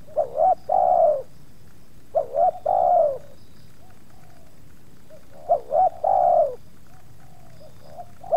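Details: Spotted dove calling while two wild birds approach in one yard, the second resisting a little; repeated phrases of two short lifting coos plus a longer sliding coo, faint answering coos in the pauses.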